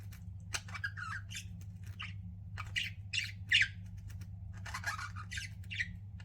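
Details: Pet budgies chirping in bursts of short scratchy squawks and warbled notes, irregularly spaced, against a constant low hum.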